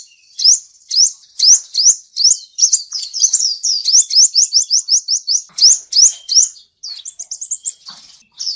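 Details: Male seven-coloured sunbird, a trapping lure, singing loud, spaced high upward-sweeping whistles that speed into a rapid trill, then slower notes and thin twitters.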